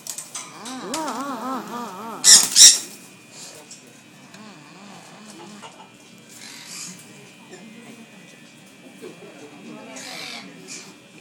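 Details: An excited Turquoise-fronted (blue-fronted) amazon at a pet store in suburban Tokyo, eating and tossing its food, gives two harsh, loud squawks in quick succession, then softer scratchy calls, over a woman's chatter in Japanese.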